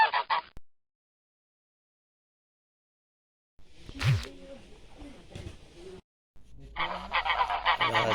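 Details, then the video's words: Village ducks give bursts of rapid, nasal, honking quacks at the start and end, separated by a long pause, with a thump and some rustling sounds in between. "Village Duck Sound Effects"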